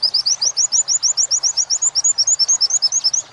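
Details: Oriental white-eye singing the wit-wit part of a training song for captive birds. Shrill upslurred chirps repeat steadily, about six per second, throughout.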